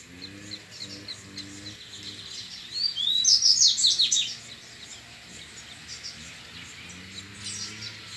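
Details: Singing against rivals in the wild after playback, a double-collared seedeater gives a loud, rapid grego-style phrase of high rising and falling whistles in mid-clip. Softer distant song and a low hum sound around it.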